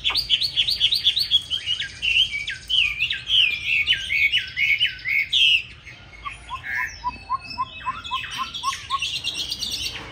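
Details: Hwamei of the green-bean-eye type giving a fighting song meant as a training model for a smooth, gentle song. Rapid looping whistles and rolling slurred notes, then a quieter series of short, evenly repeated upward chirps.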